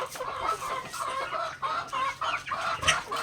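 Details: Several native backyard chickens at daily feeding time, pecking grains, give a steady stream of short, nasal, harmonic clucks and murmurs, overlapping and irregular, with brief pauses between bursts.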